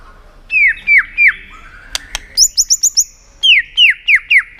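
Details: White-rumped shama flicking its tail with 'tạch' sounds to provoke contest singing in a shama; repeated downslurred whistles, sharp clicks, a quick high series, then more downslurred whistles.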